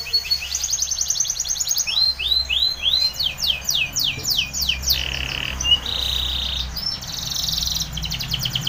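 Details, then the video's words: Training song of a Spanish Timbrado canary, varied and energetic: rapid trilled runs, sweeping upslurred notes, flat buzzy held tones and fast metallic rattles, with a low hum beneath. "Timbrado canary's most powerful song for training - CANARY TRAINING SONG"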